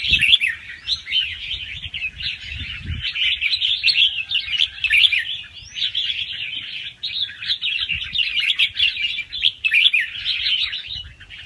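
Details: Fast-round, doubled-phrase song of a young wild red-whiskered bulbul for exciting other birds; long stretch of dense chattering warble with short breaks, low knocks early on.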